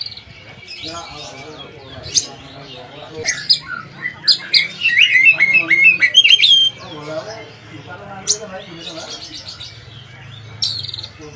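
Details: Kacer, or Oriental magpie-robin, in full song meant as training material for other kacer birds; sharp clicks and squawky notes lead into a fast run of zigzag whistles, then scattered chirps over a faint low hum.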